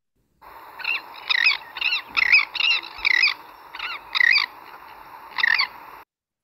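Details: Elegant Tern giving harsh, high, two-syllable kareek calls with a stressed second syllable, about eight in quick succession; higher-pitched than Royal Tern, with an emphasized second syllable.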